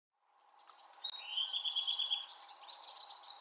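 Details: In the Pacific Northwest, a Bewick's wren gives one of its call types: a bright, high buzzy note, then a quick run of trilled chips and a fading buzzy tail, over light background hiss.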